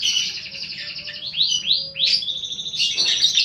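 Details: Paud fighter lovebird under five months, lure recording: rapid high chatter leading into three falling, whip-like screeches, then more continuous shrill trilling.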